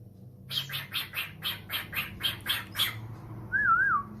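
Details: Domestic cockatiel answering a phone call: about ten rapid, evenly spaced broadband chirps, then a single wavering whistled tone rising and falling, over a low indoor hum.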